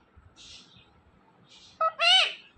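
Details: Two pet talking parrots in conversation; faint hissy sounds, then a short tone and a loud, harsh, strongly harmonic squawk rising and falling near the end.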